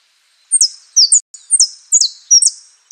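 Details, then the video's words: Saffron finch in prio, golpe y pitada song: a steady series of five high, sharply slurred doubled notes, spaced about every half second. "JILGUERO AUDIO "OSAMA" ( prio,golpe y pitada)"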